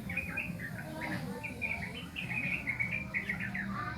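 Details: A young sooty-headed bulbul still learning its song delivers a hurried chain of bright chirps and short warbles, some notes clipped, others slurred, over a quiet low background hum.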